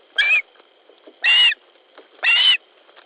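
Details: Osprey at a nest in Latvia, evening of 10 July 2013, during a squabble over fish: three loud, hoarse whistled calls with a rising then falling shape, spaced roughly one second apart over a steady faint hum.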